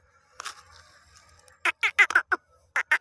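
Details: Calls of black francolin used to excite and lure others of its kind: a faint rough note, then a quick series of loud, sharp, raspy clicks in uneven bursts, ending in two more strong notes.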